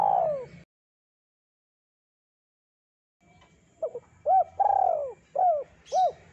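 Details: Spotted dove singing a song used to lure birds: the tail of a falling coo, a few seconds of silence, then a fresh phrase of soft notes, arched coos and a long sliding coo.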